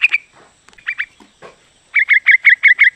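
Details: Female sooty-headed bulbul calling to a male, giving scattered chirps then a steady series of six bright, evenly spaced notes, each slightly dropping in pitch.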